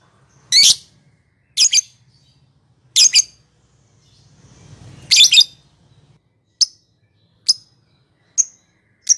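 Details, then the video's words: Lovebird calls used to goad rival birds into singing: four loud, buzzy double chirps, then four short, thin ticks at a steady pace. "Suara Masteran lovebird ngekek panjang memicu emosi lawan"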